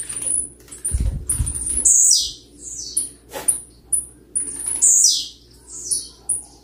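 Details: A blue-black grassquit singing persistently, recorded to provoke other birds: thin, high buzzy 'tzi-u' phrases about once a second with sharp descending chips between, a few dull low thumps early on.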